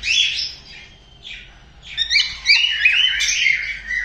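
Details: A white-faced cockatiel sings a mating call, a run of bright whistled and chattering notes warbling up and down.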